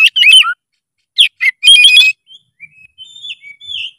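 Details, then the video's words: Oriental magpie-robin singing in full, energetic voice: bursts of loud whistled and chattering phrases separated by short pauses, then a run of thinner, softer whistles and slurred notes toward the end. "SUARA KACER GACOR FULL EMOSI"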